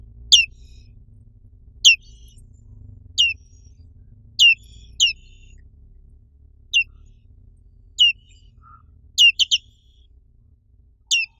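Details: Black-capped white-eye from Indonesia repeating thin, high chirps that slide steeply downward. The notes are spaced one to two seconds apart, with a few doubled notes near the end and a faint low rumble underneath.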